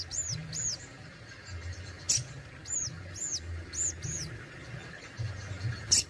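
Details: Crimson Sunbird (sogon) kept in Indonesia repeating thin, very high arched whistles in pairs about once a second, with occasional sharp clicks and a low background hum.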